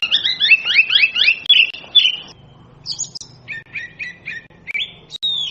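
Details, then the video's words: Oriental magpie-robin giving a fast run of rising whistled notes, then a pause and a series of separate sweeping whistles and short chirps, loud and clear over a faint low hum. "เสียงนกกางเขนบ้าน Oriental magpie robin sounds"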